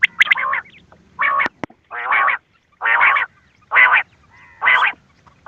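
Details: Quail calls from a cassette played to lure birds for hunting: harsh, buzzy bursts with a rich tone, each lasting under half a second and repeated about once a second, with a few short sharp clicks and chirps in between.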